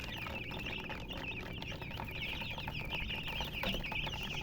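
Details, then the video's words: Baby chickens chirping together, a continuous overlapping chorus of high, thin peeps with no pauses, over a steady broad background hiss. "Chicks Chirping"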